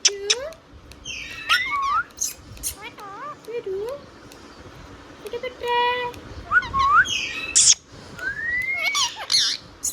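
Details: Indian ringneck parrot, a pet talking bird, runs through wavering speech-like syllables, looping whistles and upward-swooping squeaks, with clicks between phrases and a quiet room behind.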